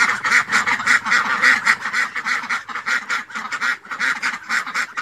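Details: Several ducks giving rapid, raspy nasal quacks that overlap in a steady stream, loud and busy throughout.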